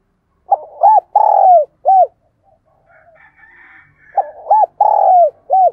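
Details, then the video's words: Decoy dove cooing to lure wild doves: two low phrases of short arched notes around a long buzzy note, with faint higher chatter in the gap between them. "Chim Cu Mồi Thúc Gù Và GÁY Gọi Bổi Nghe Siêng Gáy"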